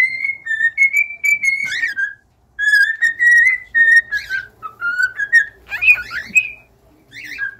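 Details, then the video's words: Singing cockatiels produce long strings of steady, clear whistles with occasional fast warbled flourishes, a brief pause after two seconds, then more whistled phrases ending on a falling note. "an hour of cockatiels singing"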